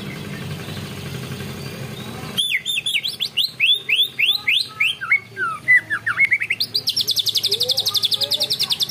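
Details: Greater green leafbird in canary-style song material ('materi ngunci kenari'), opening with a burst of varied sliding whistles and chips and closing in a long, fast, even trill; a steady hum plays before the singing begins.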